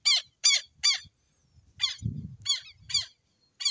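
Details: Southern lapwing (quero-quero) calling in the Amazon: harsh, buzzy notes repeated in quick bursts of two to three, with short pauses between groups and faint low thumps underneath.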